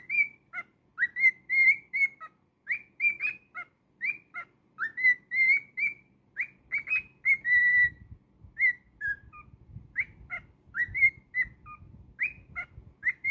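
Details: Domestic cockatiel whistling its song in a long busy stream of rising chirps and held notes, repeated many times. Soft rustling or handling noise sits beneath the second half.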